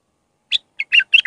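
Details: Iraqi bulbul singing a raw Mandalawi-style song used to teach young bulbuls; after a pause come short warbled notes, then a quick run of bright, slurred chirping phrases rising and falling in quiet surroundings.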